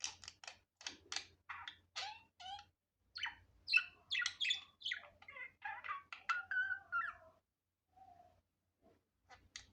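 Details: Natural, unedited budgerigar sounds: rapid clicky ticks and scratchy chirps running together, then a rising and falling squeaky warble with a few thin whistles, fading to near silence before a couple of final chirps, low hum behind.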